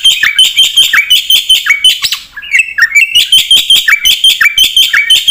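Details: Black-winged myna singing energetically, a recording meant to provoke replies and train caged birds: rapid chattering phrase repeated about three times per second, each a bright whistled note with a dropping buzzy tail, briefly broken by a scratchier passage.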